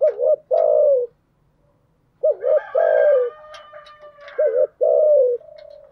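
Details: Female spotted dove decoy calls in thúc gù and gáy gọi styles, meant to quickly attract wild doves. Deep paired coos, a quick wavering note then a held falling one, sound in several bouts, with a brief higher, harsher call overlapping in the middle.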